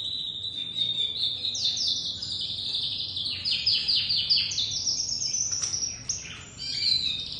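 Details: Crested dominant-white domestic canary youngster singing a sustained high warble: a steady whistle opening into fast rolling trills of repeated notes, a brief dip, then more twittering.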